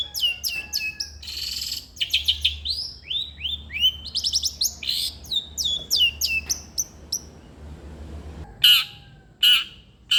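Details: A long-tailed shrike sings busily, meant to coax a lazy shrike to sing. Rapid varied phrases of whistled sweeps, chattering stutters and short harsh bursts pour out, then pause before a few sharp high whistles.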